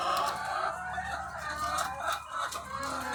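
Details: Thousands of egg-laying hens on a farm make a dense, unbroken chorus of overlapping clucks and squawks. A few calls rise briefly louder above the mass, over a steady low mechanical hum.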